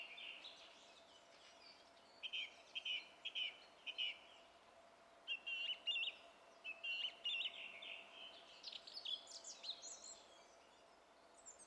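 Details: A song thrush sings on 27 April 2016, repeating each short whistled phrase two to four times before switching to a new one, then ending in high squeaky notes. A faint hum runs underneath.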